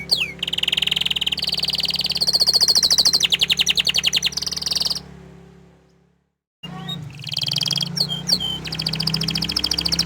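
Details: Canary that stays shy and hides its face, singing a lively song of fast, high trills in repeated tours, shifting pitch between sections, breaking off into near silence midway before resuming with bright rattling trills over a low steady hum.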